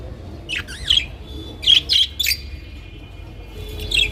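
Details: Captive budgerigars produce wavering, warbled chirps that bend up and down in pitch, a few short phrases with quiet gaps between.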